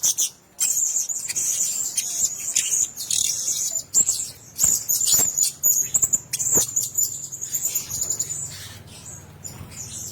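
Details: Several Blue-crowned hanging parrots in a single cage chatter in a continuous high, sibilant twitter, later breaking into shorter choppy squeaky bursts over a faint hum.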